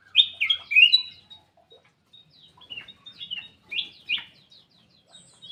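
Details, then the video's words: Black-capped bulbul kept in an aviary, singing vigorously: loud, clear whistled phrases that rise and fall, bunched at the start, then softer scattered notes and two strong slurred whistles near four seconds, in a quiet background. "KICAU KUTILANG EMAS \ CUCAK EMAS GACOR"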